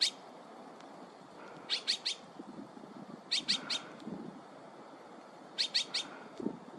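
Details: Azure-winged magpie calling: three bursts of three or four short, harsh, high rasping notes, spaced about two seconds apart, over low rustling and faint background noise.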